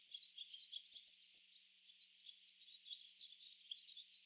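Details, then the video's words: Barn swallows in a flock gathered in a tree give a busy chorus of high, rapid twittering chirps, many birds calling at once in dense, uneven bursts with a brief lull near the middle. "Barn swallow chirping sounds"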